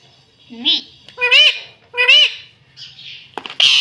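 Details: Rose-ringed parakeet kept as a pet, imitating "mummy": a short lower note, then two matching bright, nasal arched syllables in quick succession, followed by softer hissy sounds and a sharp click.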